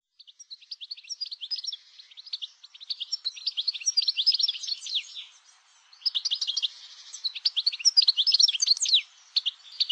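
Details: European goldfinch singing a long, fast, tinkling twitter of high chirps and trills, in two main bursts with a brief gap near the middle.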